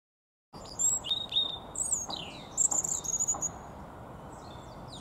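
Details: Common redstart singing, a song seldom heard: clear high whistles followed by a jumbled run of fast chirps, slurred notes and trills, lasting about three seconds, with a constant low hiss beneath.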